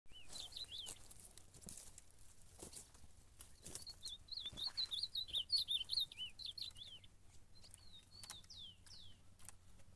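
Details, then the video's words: Ultramarine grosbeak singing while fighting in a contest: a fast warbled phrase of slurred, up-and-down whistled notes, then a few separate falling whistles, with clicks and knocks in the background. "Azulão na Campeada brigando"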